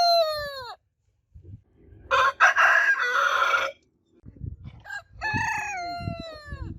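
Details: Rooster crows overlapping: a falling harmonic crow ends, a coarse raspy crow follows, then another long descending crow over low background thumps and rustling.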